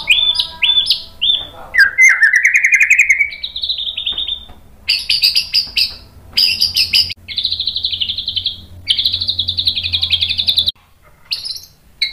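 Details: White-rumped shama song used to provoke other shamas to sing: stepped whistled notes and a rising slurred phrase open the clip, followed by several bursts of loud, fast buzzy trills separated by short gaps.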